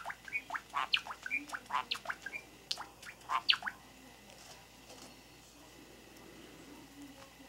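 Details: Pet Java sparrows, one eating pea sprouts outside the cage while the other eats grain and komatsuna inside, recorded indoors on 26 April 2017; a run of short, sharp chirps and clicks over the first four seconds, then quiet room noise.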